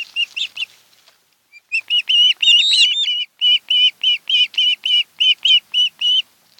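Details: Ospreys, a mated pair nesting on Kent Island, Maryland, caught by a nest cam on 26 July 2018: a long, even series of clear, whistled cheeps repeated several times a second, after a brief more tangled outburst.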